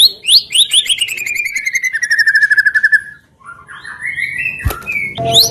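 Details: Song of a white-rumped shama used to stir other birds into singing: a long descending trill of rapid notes sliding down in pitch, then softer twittering and a sharp high note at the end.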